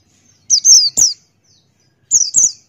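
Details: Buxtoni white-eye singing in the ngalas style with open beak: sharp, high, downslurred whistled notes in two bursts of two or three, with a silent gap between.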